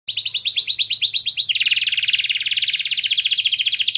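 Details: White canary singing to stimulate mating: fast trills of rapid repeated high notes, a quicker buzzy trill at first, then switching to a lower, steady rolling trill, with a faint low hum underneath.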